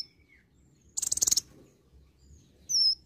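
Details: Olive-backed sunbird in varied song: a faint thin whistle, a short burst of fast, buzzy high trilling, then a bright, sharply slurred whistled note.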